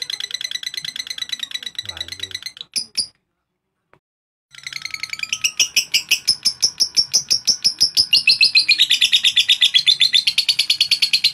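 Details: Lovebird singing to provoke rival birds: high, rapid chattering notes with a brief silent pause midway, then a fast, dense run of repeated buzzy notes building louder toward the end.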